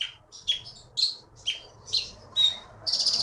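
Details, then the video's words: Champion olive-backed sunbird from the Bangka forest, now a contest winner in Bangka Belitung, gives a lively run of sharp, high, buzzy chirps, about two per second, ending in a sustained rasping note. "BURUNG JAWARA FULL GACOR"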